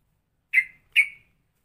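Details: Straw-headed bulbul in a ropelan song style compared to cucak rowo and cucak jowo: a pair of loud, clipped whistles about 0.4 seconds apart, each fading with a short tail, with no other sound.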